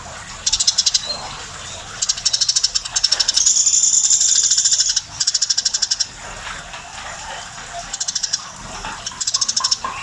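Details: Eurasian tree sparrow, described as very tame and singing energetically, giving bursts of rapid, dry, repeated chirps at a fast steady rate, with a brief harsher buzzy phrase in the middle and short pauses between bursts.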